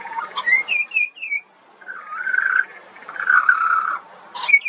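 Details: Juvenile pied butcherbird, an Australian songbird, singing: a rising whistle into a run of short repeated high notes, then long wavering fluted whistles around the middle pitch, ending with another burst of sharp notes.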